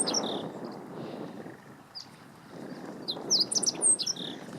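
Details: Meadow bunting, Lake Teganuma, April 2017, sings one loud, fast phrase of high, sharp, bouncing chirps near the end, with a few softer chips before it and low ambient noise.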